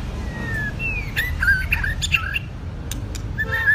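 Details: Caged wild-caught White-rumped shama, two seasons old, in stamina training: clear whistled notes near the middle register, a long level whistle then short swooping phrases and clicks, over steady low background rumble.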